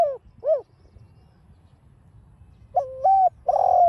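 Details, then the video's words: Spotted dove, a cage bird, in the 'đồng pha' voice style, used to provoke and stimulate other caged doves. Two short slurred hoots, a pause, then two longer flat-then-falling coos at low pitch. "chim cu GÁY GỌI kích bổi hiệu quả giọng đồng pha"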